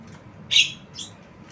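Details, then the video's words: One strong, harsh squawk from a tame Javan myna, followed half a second later by a softer, higher note. "Jalak kebo Suara Unik"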